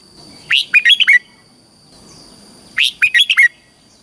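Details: Caged Red-whiskered bulbul in Thailand giving the southern-style song used to excite caged birds and train young birds: two matching phrases of a swooping note and four quick melodic whistles, with a faint steady hum behind.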